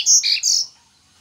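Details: Yellow-bellied seedeater song fragment: two or three quick high, bright notes lasting well under a second, then quiet.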